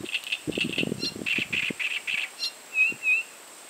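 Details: Great reed warbler song: a string of rough, grating syllables about four per second, ending in two louder, clearer, slightly whistled notes, with low rustling or croaking sounds underneath in the first half.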